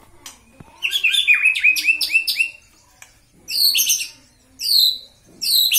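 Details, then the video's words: Caged white-rumped shama provoked to anger for fighting, singing rapid bright chirped phrases with sharp high notes, then repeated short bursts of high rattling whistles separated by pauses. "Buat Murai Batumu Marah dengan ini!!!"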